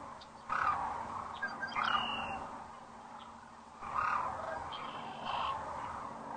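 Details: At sunset on April 4, 2013, sandhill cranes fly in to roost at Rowe Sanctuary near Gibbon, Nebraska, heard through a webcam. Throaty, rattling calls swell in two main waves, with a brief whistled tone between them and constant background noise.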